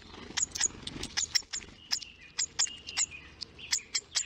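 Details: Baby hawfinch on a nest livestream begging in a "feed me" dance: sharp, very high ticking notes, roughly three a second, mixed with a few thin, level whistles.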